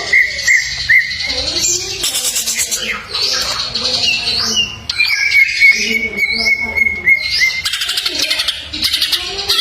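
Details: Greater green leafbird masteran with many fill-in phrases: long steady whistled tones run under harsh squawking bursts, dense buzzy trills and rising slurs, with lower warbled notes scattered through.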